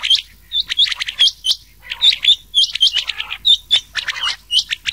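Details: Rain quail calls mixed with another quail's voice, used for night-time quail hunting in summer: dense bursts of sharp, high metallic chirps with hooked whistled notes, several callers overlapping, repeating rapidly through five seconds.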